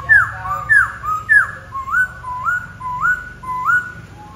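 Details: Black-throated laughingthrush singing: a steady run of clear whistled notes, each sliding upward then levelling, repeated roughly every half second, early ones higher and later ones lower and smoother, over a faint low hum.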